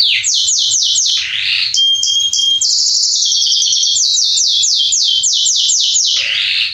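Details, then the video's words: Male Belgian canary (Salsa) in full song for warming up canaries: swooping downward notes repeated several times a second, a pure steady whistle with a buzzy trill, then long runs of rapid descending notes. "Canário Belga Salsa macho cantando - Esquente seu canário belga em 30 minutos"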